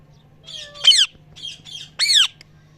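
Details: Parrot chirping naturally: a few harsh, harmonic squawks and scratchy chirps in quick bursts, two louder downward-sweeping calls standing out, over a faint low hum.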